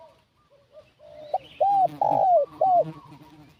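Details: Spotted dove decoy call luring wild doves: quiet coos lead into a clipped note and three loud downward-curving coos, over a low rumbling background.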